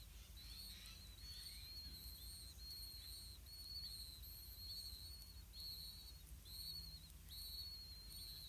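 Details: High thin whistles at a blue-winged pitta nest as parents feed earthworms to the chicks, near-level notes repeated about once a second in a long steady series with low background hum.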